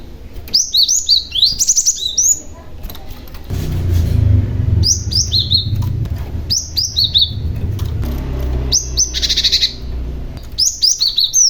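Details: Cinereous tit calls used to lure other tits to respond: bright clusters of sharp, high chirped notes in short bursts, with a loud low rumbling noise in the middle.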